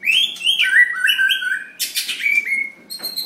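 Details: A White-rumped shama, being weighed up for a Sunday singing battle, sings a rich run of varied whistled phrases: sliding and falling notes mixed with harsh buzzy bursts, with a faint low hum beneath.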